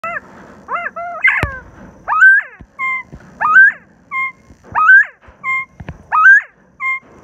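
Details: Northern Bobwhite quail: clear whistled notes, short level whistles alternating with sharply rising upslurred ones about every second, a few harsher harmonic notes opening the sequence.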